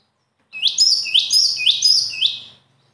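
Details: High-pitched bird song: four sharp upward strokes, each joined to a piercing whistle, delivered in a steady two-second run after a short silence.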